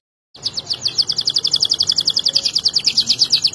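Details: Canary song for masteran, training other canaries: one rapid, even trill of repeated high notes, about eight per second, lasting roughly three seconds after a short silence.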